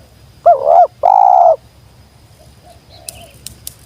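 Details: Spotted dove, known locally as tekukur, a wild bird drawn down, singing its sweet jergot call once: a wobbling note and a sustained coo, then faint clicking sounds in the quiet background.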